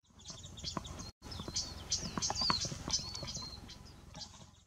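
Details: Hawaii amakihi (Chlorodrepanis virens) on the Big Island, Hawaii, preening and foraging at 7:20 am on 20 July 2015: thin, high chirps and short slurred whistles, several each second, with faint clicks and rustling.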